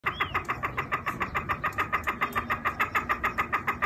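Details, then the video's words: A chukar partridge kept for hunting gives a steady run of harsh, clucking chuk notes, about three or four each second, with a brief thin whistle near the start. "شکاری چکور کی خوبصورت آواز|| Chakoor ke awaz"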